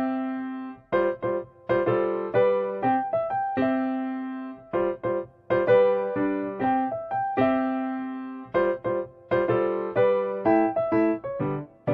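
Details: Piano or keyboard notes played in short phrases, with no animal sound present.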